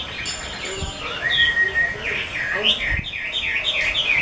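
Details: Prized 'mơ' type Chinese hwamei from an expert keeper, pouring out rich whistled song: slurred upward whistles, then a fast sequence of looping, bouncing notes repeated in quick succession.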